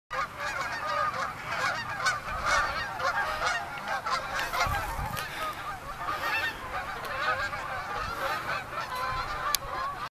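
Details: About 400 geese coming into a field in Utah: a dense, continuous chorus of overlapping honks and yelping calls from a large flock, steady throughout, with a brief low thump midway.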